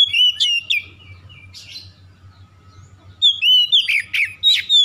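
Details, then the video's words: Lure song of an Oriental magpie-robin meant to get quiet magpie-robins singing again: bright whistled notes and rough chattering, a quieter gap, then loud rapid slurred whistles; low background hum. "PANCINGAN TERCEPAT KACER MACET BUNYI LANGSUNG GACOR"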